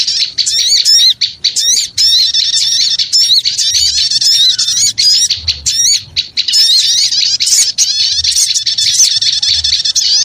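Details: Noisy small-bird lure call: a crowded, unbroken stream of sharp high chirps, squeaks and wavering trills from many birds calling at once, with occasional quick breaks in the din.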